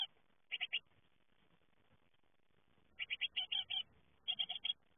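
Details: Fledgling great tits leaving their nest utter quick groups of thin, high chirps in bursts of three to six, separated by a couple of seconds of quiet with a low background hum.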